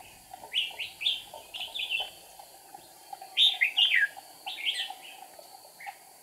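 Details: Trapping decoy red-whiskered bulbul, wing and tail flicking, 8 April 2019; bubbly chirped phrases, a loud rich burst midway followed by softer single notes.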